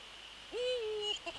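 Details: Single Eurasian eagle-owl call recorded at the nest on a late-December evening in 2013: one smooth, mid-pitched tonal note, rising sharply at the start, then held level and slightly falling for about half a second, with a faint short note after.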